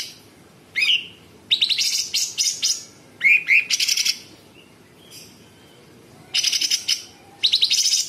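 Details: Sooty-headed bulbul singing a full 'isian' song with rough 'besetan' and 'tembakan' bursts. A single swooping whistle gives way to long, fast, buzzy rattling trills and a few rising whistles, with brief silences between them.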